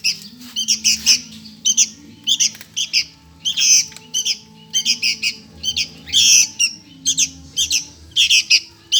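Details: Begging sooty-headed bulbul nestling asking for food, giving a dense run of rasping, noisy squawks, many paired or tripled, repeated nearly nonstop over a quiet low hum.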